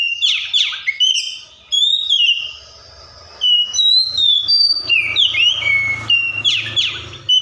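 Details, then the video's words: An Oriental magpie-robin (Copsychus saularis) sings a varied run of clear whistles, sharp sweeping notes and rising slurs, imitating other birds' sounds, with brief pauses between phrases and a faint low hum beneath. "COPSYCHUS SAULARIS SOUNDS LIKE THE WILD MAKES OTHER BIRDS SOUND"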